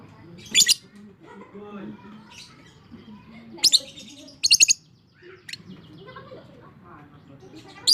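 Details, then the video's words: Fighter lovebird in long 'ngekek' chatter, meant to stimulate silent lovebirds. Scattered shrill screeches, including a rapid triple burst, mixed with softer low twittering and brief squeaks. "Suara Burung LOVEBIRD FIGHTER Ngekek Panjang, Terapy PERANGSANG Lovebird MALAS BUNYI"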